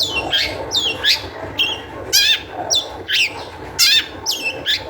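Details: Long-tailed shrike singing with high energy as a lure for fellow shrikes: a steady sequence of scratchy, down-slurred and wavering notes, about two per second, harsh and high-pitched throughout.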